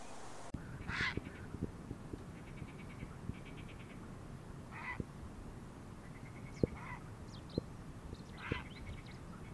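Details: Grey heron, a winter visitor in the wild in Palestine, giving harsh, hoarse croaking calls at irregular intervals, some broken into rapid rattling pulses, over steady background hiss with sharp clicks.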